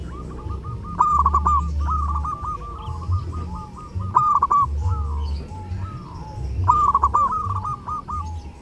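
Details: Zebra dove in full song at Eid, used as a tutor for other birds: several quick bursts of stuttering, evenly pitched coos, each trailing off, with a low droning hum underneath.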